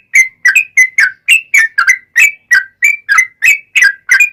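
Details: Yellow-vented bulbul in vigorous long rapid-fire song, used as a lure to make other bulbuls answer: short bubbly whistled notes at a steady mid-high pitch, about three per second, with no gaps and no other sounds.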